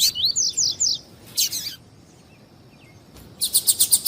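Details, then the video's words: Double-collared seedeater (coleiro) in the tui-tui song style, a warm-up recording used by breeders for tournaments: a run of rising whistled slurs, then harsh buzzy bursts, a pause, and a quick rhythmic series of sharp, bright notes. "ESQUENTAR COLEIRO TUI TUI"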